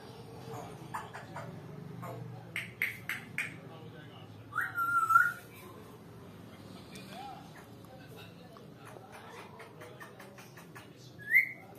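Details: Captive talking African grey parrot indoors giving brief whistled notes, a rising whistle near five seconds and a sharp upslurred whistle at the end, amid soft clicks and low room noise.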